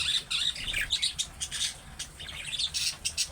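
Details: Budgerigar in dense, nonstop chatter resembling young birds' calling, said to make other budgies reply. Scratchy, grinding squawks run together with rapid high chirps throughout.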